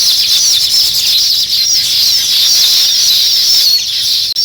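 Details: Nest-building weaver birds fill the air with a continuous, crowded chorus of high sizzling chatter and squeaky twittering notes, barely pausing throughout.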